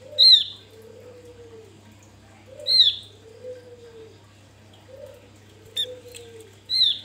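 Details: Javan grey-throated white-eye singing wild, used to lure other birds: four sharp, high, falling whistles at about two and a half second intervals, one brief click, quiet low cooing between notes, and a continuous low hum.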